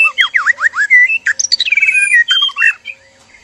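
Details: White-rumped shama mating call from a male and female in a captive breeding cage: series of V-shaped whistled notes, then a rapid buzzy trill and sharp notes before fading out.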